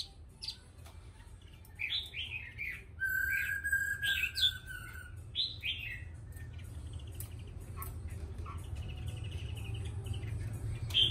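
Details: A tame female Chinese hwamei, nearly finished moulting, gives clear, slurred whistles and a long level note that spur males to sing.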